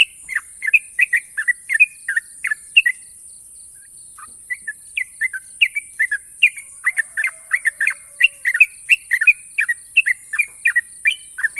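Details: National champion sooty-headed bulbul prized for long, sharp trills: runs of short chirpy, slurred notes, a brief pause midway, then a faster, denser stretch of repeated chirps over a constant high background hiss.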